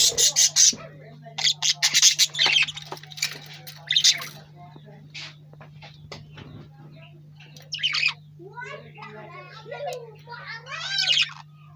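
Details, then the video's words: Lovebird chirping: loud bursts of harsh, high chirps crowd the opening seconds, then a few softer, wavering notes follow after a quiet gap, all over a steady low hum. "Lovebird Chirping | Lovebird Chirping Sounds"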